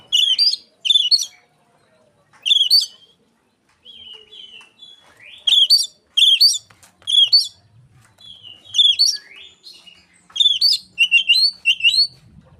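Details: Oriental magpie-robin song copying Asian pied starling, meant to lure other magpie-robins; loud rising whistles in clusters separated by softer trills and pauses, growing denser toward the end.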